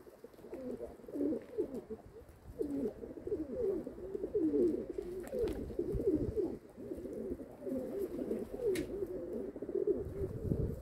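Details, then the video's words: Continuous low cooing from several kept domestic pigeons over about ten seconds. The throaty, wavering phrases overlap almost without pause, with a faint click near the end. "My pigeons"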